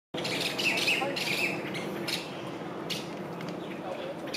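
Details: Masked laughingthrush (Pterorhinus perspicillatus), call.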